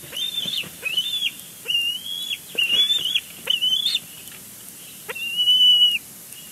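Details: Young bald eagle calling from its nest at Big Bear Lake, June morning before leaving to explore; repeated high, thin squealing whistles, some rising and falling, in bursts of under a second with brief pauses, a longer final note.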